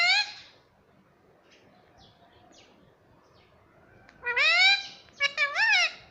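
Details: Pet ring-necked parrot talking, said to say "mummy papa": a short nasal note at the start, then a rising harmonic phrase and two quick wavering syllables, with soft chirps in a quiet room.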